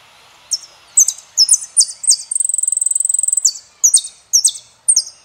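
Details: Saffron finch singing the El peregrino song style: bright high chirps in pairs and triplets, then a sustained rapid trill of evenly spaced pulses lasting about a second, ending with further sharp chirped phrases; light background hiss.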